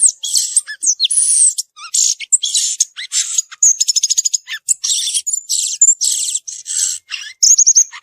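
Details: Wild violaceous euphonia delivering a long, rich medley of high chatters, rapid clicking trills and whistled slurs, packed tightly with only short pauses.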